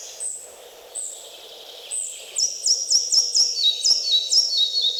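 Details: Red-breasted Flycatcher singing in forest in Wielkopolska National Park, Poland: a few spaced high thin notes, then a rapid run of repeated sharp two-note phrases descending stepwise in pitch.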